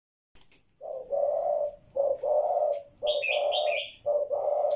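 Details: Spotted dove cooing: loud, low, hoarse phrases, each a short note followed by a longer drawn-out coo, repeated about once a second, with a brief high chirping from another bird partway through.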